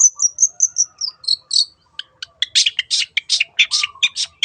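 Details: 'Teot teot' song of a long-tailed shrike, or cendet, used as a lure for other birds: a row of piping high whistles that drops into loud, harsh, buzzy bursts repeated several times per second.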